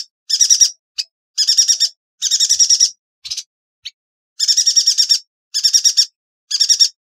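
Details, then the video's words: A yuhina sings for masteran training of songbirds: bright buzzy trills of five or six fast notes are repeated roughly every second, interspersed with isolated sharp chips. "Burung Yuhina - Tembakannya Nyelekittt Tajamm Terpercayaa...!!"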